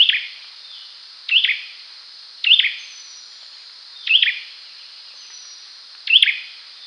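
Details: Olive-backed sunbird calling clearly; sharp, high, slightly buzzy chirps repeated about every second and a half, over a thin steady high hiss.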